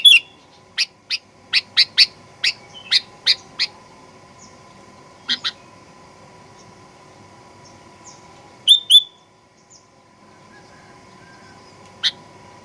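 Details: Fighter-style sooty-headed bulbul lure for provoking aggressive song: a brisk series of about ten chirps, then sparse single notes and a quick whistled double, over a constant electrical hum.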